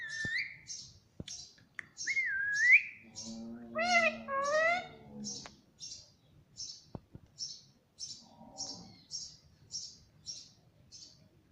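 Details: Parrot kept as a pet, talking and saying "mummy": a rising whistle, then a wavering, voice-like harmonic phrase near the middle. A regular series of sharp high chirps from other birds runs through.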